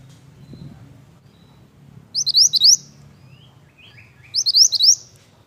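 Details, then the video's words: Repeated song of a pied bush chat: four quick upslurred whistles delivered twice, roughly two seconds apart, with soft whistled notes from other birds in between and a low rumble underneath. "BURUNG MANTENAN GACOR MANTAP"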